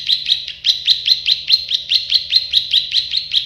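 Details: Plain prinia (prenjak sawah, klik-klik) delivering a steady run of sharp, buzzy clicking notes, roughly four a second, evenly repeated without pause throughout.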